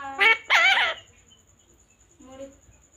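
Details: Talking pet parrot in a small room: two quick, hoarse, raspy word-like bursts within the first second, then a fainter, lower nasal syllable after a pause, with a soft steady background hum.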